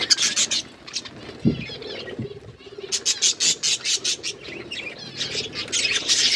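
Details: Budgerigars eating green food, kept as pets, give a run of short bright chirps in quick pulses, some grouped in bursts, with a few low knocks and rustling in the background.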